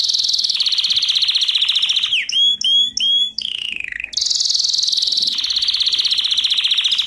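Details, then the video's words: Canary song used as a training lesson: long steady rapid trills, interrupted by three clear whistled notes and a falling slur, then the trill resumes. "Canary Singing - lesson 33"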